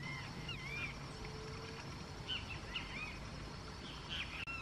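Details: Flock of plush-crested jays (Cyanocorax chrysops) feeding at Arapongas, Paraná, Brazil; repeated curved, whistled calls that rise then fall, from several birds overlapping over a low steady background hum.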